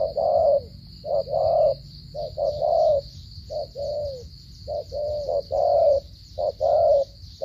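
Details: Vietnamese spotted dove from Cà Mau in 'gù cà lăm' stuttering style, cooing loudly: paired short-then-long coos repeated about once a second, some ending in a downward slur, steady high whine throughout.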